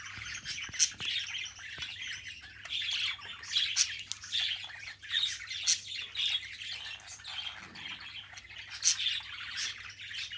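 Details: Australian budgerigars kept as pets being tamed and bred, giving a continuous chattering warble of quick, high chirps and squeaky notes with brief louder peaks, no pauses across the whole stretch; a faint steady hum underneath.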